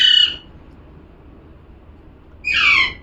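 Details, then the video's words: Two harsh parrot squawks roughly two seconds apart, the second a buzzy, slightly falling screech; little else is heard. "#parrot🦜🦜🥰 #calling sound"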